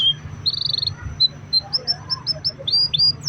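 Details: Canary used as a singing lure for other canaries, softer here: a short buzzy trill, then spaced high whistled chips and two upward-swept notes near the end.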